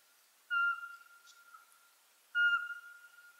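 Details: Two plain, steady whistles from a Eurasian pygmy owl, Ukraine's smallest owl, found in coniferous and mixed woods; the notes come about two seconds apart, each sharp at onset and slowly fading.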